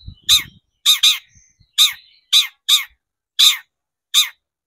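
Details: Long-tailed shrike (cendet) lure recording to provoke singing: a series of loud, rasping, downward-sweeping squawks, some paired, repeated roughly every half second to second, with brief low knocks at the start.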